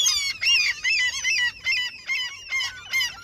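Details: A seagull calls in the territory of someone fishing who feeds the gulls: a steady run of about seven loud, arched, nasal yelps, each roughly half a second long, evenly paced.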